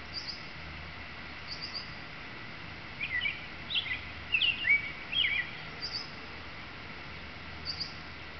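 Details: A male American robin, singing in a tree in a nesting area after flying in from other trees and fighting off another male, gives a short run of clear warbled phrases over about two seconds, with faint high chirps and steady hiss.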